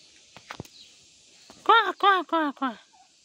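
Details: Village turkey hen in Nepal: after a few soft knocks and footsteps, four loud, evenly spaced "kor" notes, each a harmonic arch repeated roughly every third of a second.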